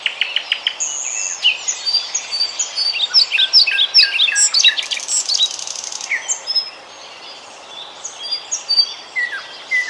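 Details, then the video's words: European pied flycatcher song recorded near Bryansk, with brisk high chirping notes repeated rapidly, a busy phrase of varied whistles, then a pause and a few scattered falling notes; faint hiss behind. "European pied flycatcher (Ficedula hypoleuca) 02:46"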